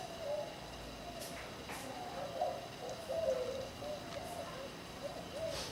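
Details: Parakeets kept as pets sit cuddling and trade soft warbled chirps, short wavering notes repeated through the recording, with faint clicks over a steady background hiss.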